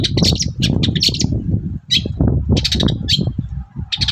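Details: Long-tailed shrike in full morning song as a lure for other shrikes: dense, fast, scratchy high chirps in quick clusters with a brief gap midway, backed by persistent low rumbling.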